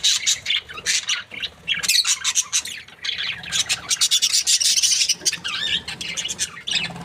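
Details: Happy pair of breeding budgies producing rasping, scratchy chatter and clicks in fast bursts, with busy high chirping that barely pauses.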